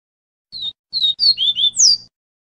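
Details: Double-collared seedeater song in the Viviti style, a tutor song for teaching young birds: one short phrase of five clear, high whistled notes, several slurred and falling, the last sweeping down from higher up, over a faint low hum.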